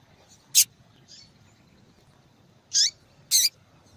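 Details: Female yellow-bellied seedeater calling persistently to attract attention: an isolated high sharp chip, a faint note, then two quick downslurred chirps close together after a pause.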